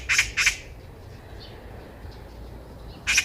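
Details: A Eurasian magpie heard on a walk gives two loud harsh squawks, falls quiet for over two seconds, then starts another rasping note at the end; low background noise throughout.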